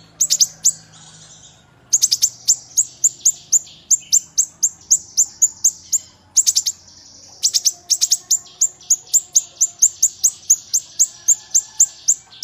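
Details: Kinoi bird singing: bursts of rapid, piercing high notes that slide downward, some clustered into quick trills, broken by short pauses, over a faint low background hum.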